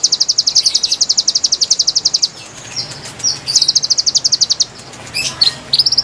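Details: Wild konin song meant to lure birds: a long, fast, high trill of sharp repeated notes for about two seconds, then scattered chirps, short whistles and another quick trill burst.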